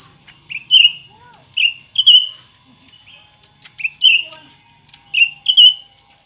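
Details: Two cucak ranting birds, one new and one old, compete in song. Short whistled notes slide down from high pitch, in pairs and triplets about once a second. A steady high electronic tone runs underneath.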